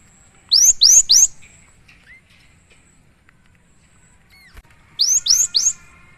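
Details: Cinereous tit (gelatik batu) singing vigorously on training and lure audio: loud triple rising whistles, a pause with soft short notes, then a second triple about four seconds later.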